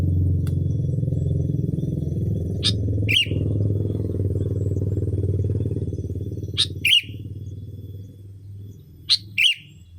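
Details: Sooty-headed bulbul lure call used to attract bulbuls: short harsh double notes, sharp and squeaky, repeated about every three seconds over a loud steady engine or motorcycle drone that fades near the end.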